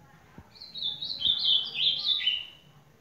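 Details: Ultramarine grosbeak song: a flowing, melodious phrase of linked whistled notes stepping gradually lower over about two seconds, loud and clear against quiet background with a couple of soft taps.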